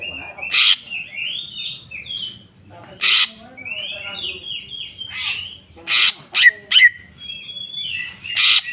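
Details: Greater green leafbird in full jamtrok song, unloading its repertoire: long swooping whistled phrases that rise and fall, punctuated every second or two by loud harsh rasping bursts.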